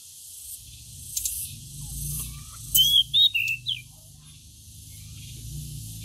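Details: A pied bushchat (decu) put out in the sun to encourage it to sing gives one brief phrase of four quick, high whistled notes, over a steady low hum.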